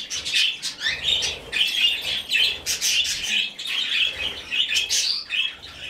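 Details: Budgerigar chick, rescued and hand-fed, keeps up insistent buzzy begging chirps in quick rhythmic bursts, rising and falling in loudness, indoors.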